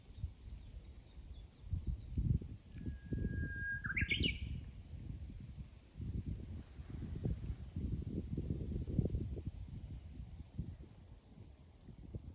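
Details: Japanese bush warbler song: a steady, held whistle lasting about a second breaks into a rapid rising, stuttering flourish. Gusty wind and rustling noise run throughout.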